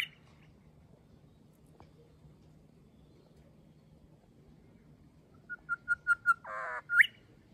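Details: Grey shrike-thrush in an Australian garden on a grey day, apparently repeating a short message to a mate or family member: five clear, even whistled notes, a brief harsh rasp, then a ringing upslurred whistle.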